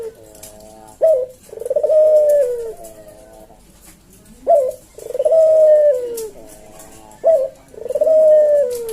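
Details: Javanese collared dove giving its slow, spaced 'kuk deruk manggung' song three times over about nine seconds. Each phrase is a soft lead-in, a sharp short 'kuk', then a long, mellow, falling coo. Used to tutor and lure cage birds.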